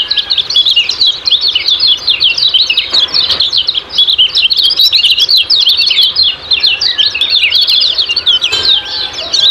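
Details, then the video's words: Dense, nonstop high-pitched twittering of kecial kuning in ciak-ciak style, notes flicking rapidly up and down throughout, used to stimulate kept birds to sing. "Master Kecial Kuning Ciak Ciak Gacor Banget"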